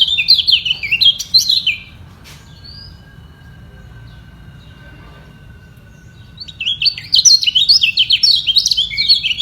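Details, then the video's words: Kecial kuning white-eyes trading song in a vocal contest to defend their position: a fast, jumbled high twitter opens, gives way to several seconds of near silence with a faint thin tone, then the rapid chirping chatter returns strongly. "Demi Mempertahankan Posisi Kecial Kuning Ini Perang Suara Di Bawah"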